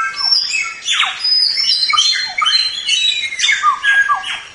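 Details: White-rumped shama singing continuously for training other birds: dense, fast, varied phrases of sweeping whistles, harsh squawky notes and descending slurs, with hardly any pauses.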